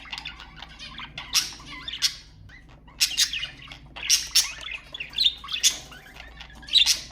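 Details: Budgerigars warbling as a stimulating sound for budgies, bursts of harsh high chatter and clicking squawks separated by short quieter pauses, with thin rising whistles mixed in.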